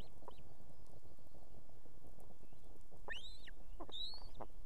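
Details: Evening at an osprey nest in Estonia, where the female with two chicks summons the male to bring food: two sharp, rising-then-level whistled cries near the end, after faint short notes, over constant low background rumble.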